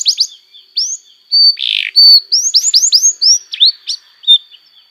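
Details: ,Canary song used to tutor young canaries: clear whistled upslurs and a steady held tone, a short harsh buzzy burst, then a quick run of rising chirps and a few falling notes.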